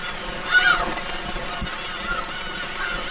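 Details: At night in late spring at Hongdo, Tongyeong, South Korea, Korea's largest Black-tailed Gull breeding colony of over 20,000 birds, the gulls give loud, nasal, cat-like mewing calls that rise and fall, with fainter answering calls over a steady hiss.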